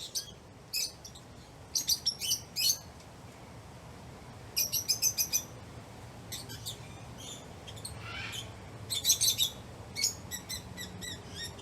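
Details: Lovebirds chirping, a sound they make when playing, eating or excited: clusters of sharp, high chirps in quick bursts of three to five notes, separated by short pauses, over a low steady background hum.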